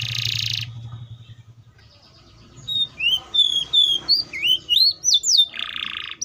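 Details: Canary starting with a buzzy burst, then a quiet pause before a string of thin, rising and falling whistled notes, closing with another harsh buzz.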